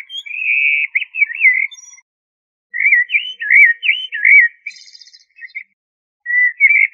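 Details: Common blackbird singing rich fluted phrases: a sustained whistle turning into rolling loops, a pause, then a warbled phrase ending in a thin, higher twitter, and another phrase beginning.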